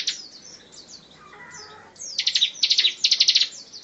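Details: Bar-winged prinia in 'tembakan rapat' song, meant for tutoring songbirds: thin descending chirps and a brief lower warble, then a tight series of piercing high ticking notes delivered in quick bursts.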